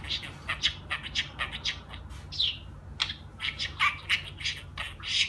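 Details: Pet budgerigar chattering in a rapid run of short, bright, scratchy notes and squeaky warbles, with brief buzzy slurs between bursts and no pauses, over a faint low hum indoors.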